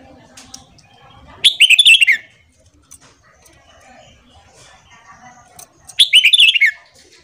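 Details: Morning song of a red-whiskered bulbul used for voice training: a bright, rapid whistled phrase of warbled notes sliding downward, repeated once after roughly four and a half seconds, with soft rustling between.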